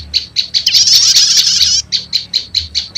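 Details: Sharp repeated chips about four per second frame a one-second rattling buzzy trill, from a prinia lure mix of prenjak lumut and prenjak setater used to attract wild prenjak lumut.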